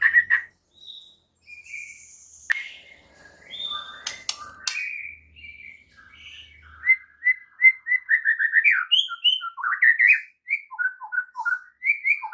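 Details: Morning training song of a White-rumped shama, used to get other shamas singing; scattered whistles and sharp clicks give way to a fast, steady series of clear repeated whistled notes.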